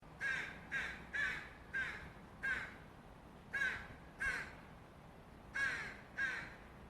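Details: Fledgling Northwestern crow, offscreen, gives begging calls: nine harsh, nasal caws in loose pairs and runs, each short and slightly whining, over faint background hiss.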